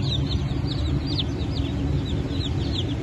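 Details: Freshly hatched Blue Brahma chicks, hatch dated 22 June 2024, giving quick high falling peeps several per second from many birds, set against a loud low rumbling hum.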